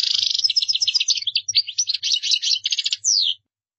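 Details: European goldfinch pouring out fast, tinkling twitters and buzzy trills, closing with a single downward-sliding note before falling silent.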